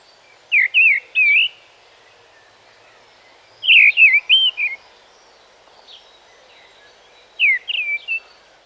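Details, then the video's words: Mistle thrush song, short, repetitive and mournful, starting on the highest note and moving downward without a squeaky ending: three short, fluty, whistled phrases about a second long, often falling, with brief pauses over a soft background hiss. "A mistle thrush often starts on his highest note and moves downward."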